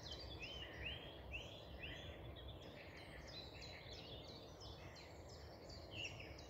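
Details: Eurasian Blackcap on a 24 April morning walk, pouring out a fast, varied warble of mid-to-high notes for several seconds, its burst ending in a higher-pitched flourish, over a steady low rumble of background noise.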